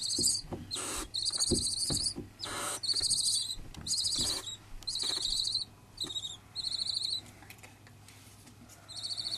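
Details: Two-week-old barn owl chicks in care, being fed whole mice, give harsh, hissing snores, repeated about once a second with brief gaps, alongside faint knocks and rustles.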